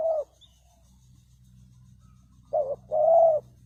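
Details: A spotted dove calls as a decoy to lure birds. One coo is followed by a pause, then a short coo and a longer rising-falling coo over a steady low hum.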